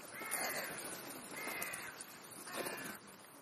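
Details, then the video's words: Crow calling while feeding at a snack between breakfast and lunch: three harsh, buzzy caws, each about half a second long, spaced roughly a second apart over a faint background hiss. "Krähenbrunch /crow`s brunch"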